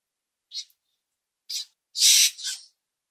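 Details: Common grackle from a backyard or nature walk giving two short high chirps, then a loud, harsh, broad squeak running straight into a softer trailing note.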